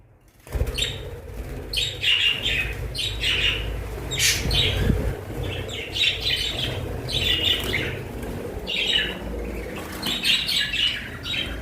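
Budgerigars warble in a busy stream of scratchy chirps and squeaky chatter over a low background hum.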